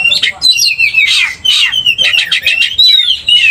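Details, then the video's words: Oriental magpie-robin stirred to aggression by another singer: fast tumbling whistled notes and harsh scratchy bursts, almost without pause, loud and close. "cepat emosi Kacer dipancing kacer GACOR ini"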